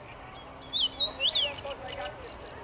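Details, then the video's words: Common rosefinch singing in a tree on 23 May 2021; a brief phrase of clear, slurred whistles rising and falling, about five notes packed into one second, followed by a few faint, softer chirps. "Dziwonia śpiewa na drzewie"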